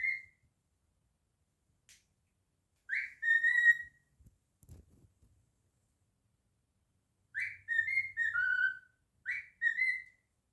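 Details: Pet male cockatiel indoors, described as naughty, singing and whistling: short clear whistled phrases of several notes, each opening with a rising slur then stepping downward, heard near the start, at three seconds, and twice more near the end, with quiet gaps between.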